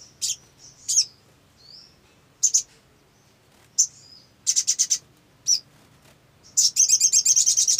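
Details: Olive-backed sunbird, used as a lure to draw other birds into song: high, sharp, buzzy notes in short bursts, then fast trills of rapid repeated notes near the end.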